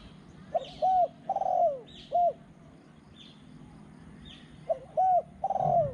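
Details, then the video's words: Spotted dove at a calling contest, a small-voiced bird that coos in the two-kuk, ku-ang style throughout. Two phrases of mellow cooing, each with short clipped notes and a longer note that bends downward. Soft rustling chirps come between the notes. "นกเขาใหญ่ | เสียงเล็ก 2 กุก คูอ่างตลอด"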